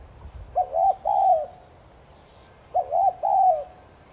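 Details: Spotted dove cooing in the 'thúc gù' style meant to stimulate other doves to coo. Two phrases, each of two quick bubbling notes and a drawn-out descending coo, separated by a pause of about one second.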